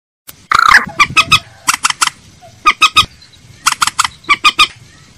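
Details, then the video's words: Common moorhen call used as a lure: loud clipped notes in quick groups of two to four, harsh and nasal, with a longer grating note at the start and short pauses between bursts. "Tiếng trích ré mồi chuẩn - tiếng cuốc biển - Gallinula chloropus"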